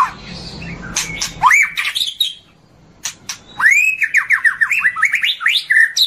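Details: White-rumped shama (murai batu) singing on a long morning tutor recording: a noisy opening, then loud rising whistles and a quick run of looping, downslurred whistled notes with sharp clicks.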